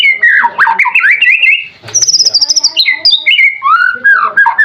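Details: Competition white-rumped shama delivering Cililin-imitation fill-ins, rich warbled phrases followed by a high, thin trilled run and then lower, fluty swooping whistles.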